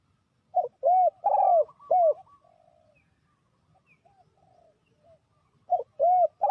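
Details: Spotted dove calling as a lure to trap wild doves: four arched coos, a quiet stretch with faint bird notes, then three more coos beginning a new phrase.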